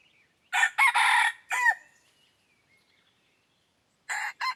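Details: Red junglefowl crow from a decoy bird luring wild junglefowl: a loud multi-part crow with a drawn-out middle and falling final note, a faint trailing call, then a clipped start of another crow.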